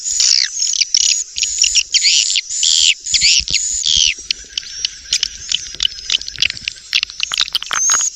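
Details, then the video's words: Lure call of swiftlets: bursts of sharp, bright chirps in quick irregular groups, about two a second, turning into faster scattered twitters with a faint steady high note. "SUARA PANGGIL"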